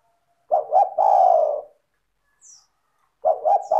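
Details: Spotted dove (tekukur), a strong, clear singer played to draw other doves into song: two quick low hoots followed by a drawn-out descending coo, then the next phrase starting after a short pause.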